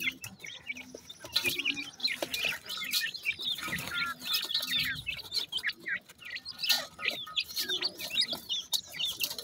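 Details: Pheasant chicks feeding give continuous shrill, wavering peeps from several birds at once, mixed with clicking pecks and rustling around the feed.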